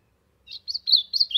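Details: Warm-up song of an ultramarine grosbeak in the sertão: a brief run of four or five high whistled notes, rising then sliding down, ending with a sustained slurred tone; quiet otherwise.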